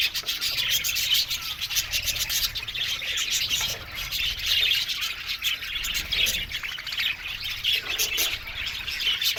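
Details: Budgerigar colony in an aviary, continuous high twittering and squeaky warbles from many birds mixed with scratchy rustling, the level pulsing gently throughout.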